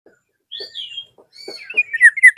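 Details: Black-naped oriole calling a rival: thin high whistles first, then louder slurred descending notes building at the end, with soft low knocking sounds underneath.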